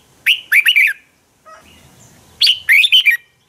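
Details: Red-whiskered bulbul fighting song for training birds: two loud phrases of four or five quick, bubbling whistled notes, each rising then dropping, separated by a short quiet interval with soft background chirps.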